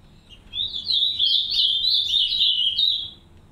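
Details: Captive green-winged saltators, a pair caring for three chicks in an aviary; a continuous high, wavering twitter of rapid jittery notes runs for about two and a half seconds over a quiet background.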